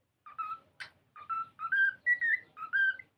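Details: Pet cockatiel singing while playing: a lively string of clear whistled notes, rising and stepping upward, roughly two per second, with one sharp scratchy note near the start.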